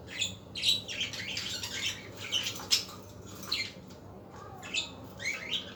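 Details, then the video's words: Budgerigars calling in the afternoon, softer and busier: many quick, scratchy twitters and short rising chirps overlap almost constantly, with no long pauses. "اصوات طيور الحب البادجي"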